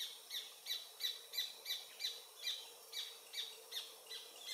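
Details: Paradise Jacamar of subspecies dea, an adult of undetermined sex, sings by the Comte (Oyak) river in French Guiana, late morning of 8 November 2023, Panasonic FZ300; piercing high notes repeated roughly three times a second over a faint hiss.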